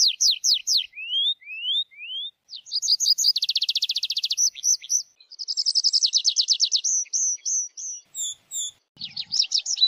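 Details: Tree pipit song: clear rising whistled notes, a rapid buzzy trill of repeated downslurred notes, then a fast chattering series and high thin notes, the phrases varying and following one another quickly.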